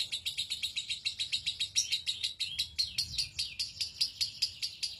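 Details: Lovebird ngekek, the long trill prized in contests and used to train other songbirds: a high, chattering run broken into quick pulses, a little more than two each second, growing fuller toward the end.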